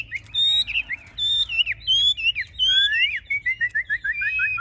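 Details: Chinese hwamei, a caged bird that performs with wings raised high and tail fanned, described as a fierce fighter; loud clear whistled phrases, rising and falling, then a fast series of repeated downslurred notes.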